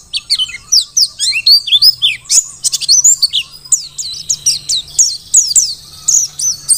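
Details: Wild-caught Mountain white-eye of the Dakun type from Merapi, singing vigorously for use as a tutor recording; rapid high thin chirps and twittering slurred notes in a continuous lively stream.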